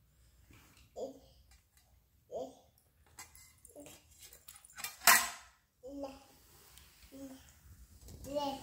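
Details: An angry African grey parrot (Psittacus erithacus) demanding almonds at dinner time gives short, nasal, speech-like grumbling squawks every second or two, while a person speaks softly and dishes clatter.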